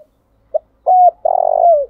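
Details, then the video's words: Decoy spotted dove calling in the morning, a quick note, then a steady mellow hoot followed by a long, burred coo that drops in pitch at its end. "Chim cu gáy thúc gáy gọi buổi sáng/ tiếng chim cu gáy mồi gáy gọi"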